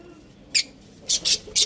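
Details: Pet budgerigars kept at home give three short, bright, high chirps in quick succession after a single chirp, against a quiet room background.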